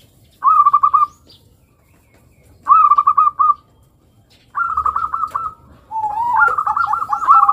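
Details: Local zebra dove singing its long song, used to prompt young birds to sing: three to four phrases of rapid, pulsed cooing notes in quick trilled bursts, separated by short pauses, the last phrase longer with a lower undertone.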